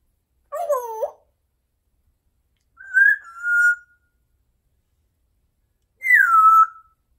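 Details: Pet talking parrot, a female, indoors, giving three separate whistles a couple of seconds apart: a looping warble, a level whistle, then a falling slurred whistle, with silence between.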